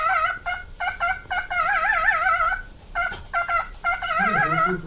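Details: Captive nine-year-old male cockatiel running through its repeated song: choppy whistled notes, then a long trembling vibrato phrase, more clipped notes, and a low voice-like sound at the end.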